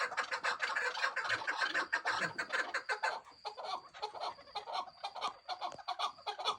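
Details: Chukar partridge chicks calling together in a dense, overlapping chatter of short clucking chirps, repeated rapidly and irregularly throughout, with a thin steady high whine in the background.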